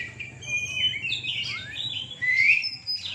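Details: Oriental magpie-robin (kacer), caged, singing at a night contest in Surabaya, Indonesia: a short phrase of clear, pure whistles, one falling glide and a loud rising note, over a soft low hum.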